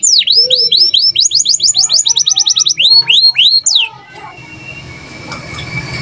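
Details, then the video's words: Canary, in gacor singing, delivering downslurred and upslurred whistles in quick series followed by a tight trill, lasting about four seconds before fading into broadband background noise. "BEAUTIFUL SOUND OF GACOR CANARIES"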